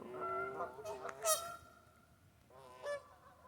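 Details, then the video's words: Geese in a West Virginia local park: a few drawn-out nasal honks at the start, a brief sharp call in the middle, then quieter scattered honks near the end. "GEESE-TASTIC IN WV"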